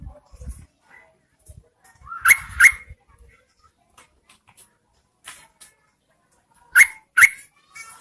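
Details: Female Yellow-vented Bulbul calling to provoke males into answering, rainy season; two pairs of loud, harsh, chattering double notes, the first around two seconds in and the second near seven seconds, with quiet pauses and faint low rustling between them.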